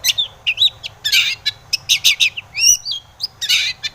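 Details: Long-tailed shrike singing to draw other shrikes into song, rapid mix of harsh rasping bursts, clicks and short whistled upslurs, loud and continuous.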